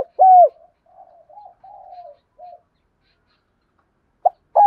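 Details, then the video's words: Spotted dove coo used to set off a caged bird's calling: one loud, rounded, slightly falling coo, then a run of soft, low, wavering murmured notes, silence, and a fresh loud coo starting at the end. "Tiếng chim cu gáy kích bổi nhạy gáy"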